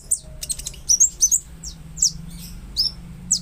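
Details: Konin, the olive-backed sunbird, singing to spur a quiet or stressed bird into song: separate sharp, very high chips and quick down-slurred squeaks spaced a fraction of a second apart, with a short rattling burst early on.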